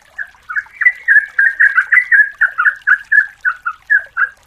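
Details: A female yellow-vented bulbul calls the male in a lure recording. A steady series of loud, rounded, bubbling notes comes about four per second after a soft start.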